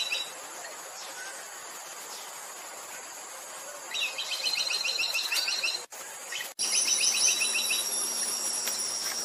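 Buff-rumped woodpecker gives quick, high trilled bursts of rapid repeated notes, each burst lasting a second or two, over a steady hiss of insects.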